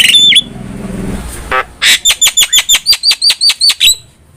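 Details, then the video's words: Javan myna song used as master material for cage birds: a slurred whistle, a low harsh buzz, then a crisp run of about twelve evenly spaced repeated chip notes. "MASTERAN JALAK KEBO GACOR"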